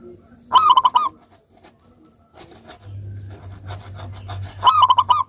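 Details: Vigorous song of a local zebra dove, two bursts of quick, trilled cooing notes about four seconds apart, each a tight rolling phrase, with a low steady hum and soft clicks between them.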